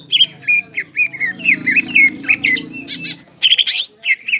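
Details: Greater green leafbird, crested and singing hard, its varied song meant to rouse stressed, silent leafbirds; whistled slurs and squawky notes alternate, over a faint low hum, ending in a loud high warbled flourish.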